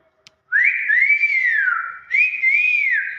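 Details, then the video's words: Common hill myna giving loud, clear whistles: a note rising sharply, arching high and sliding down, then after a short break a second arched whistle that levels off; a person exclaims nearby. "BEO SUARA ASLI"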